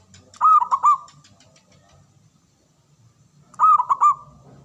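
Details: Male local zebra dove (perkutut) repeating its song: two loud phrases of fast, bubbling, stuttered coos, each under a second long, spaced about three seconds apart. Faint low background hum.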